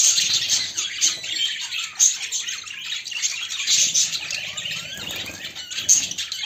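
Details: Budgerigar pair in mating display, female toward male, as pets: rambling scratchy warble with sharp high chirps and squawky notes, continuous throughout.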